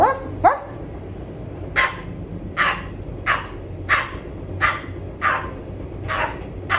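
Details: Pet cockatoo imitating a dog's bark: harsh, raspy barks repeated roughly every second over a steady low hum, while a person says 'ruff, ruff' and asks 'are you dog?'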